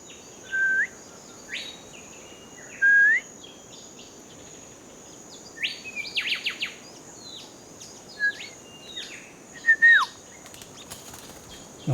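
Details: A golden whistler in forest at Lifou, Loyalty Islands, New Caledonia, gives short, clear whistled phrases every couple of seconds, some rising and some falling, mixed with other birds' chirps over a steady high insect hiss.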